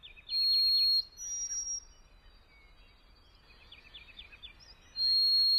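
White-throated Sparrow song: a clear, pure whistle held steady, then a run of quick repeated triplet notes, sung twice; faint background hiss.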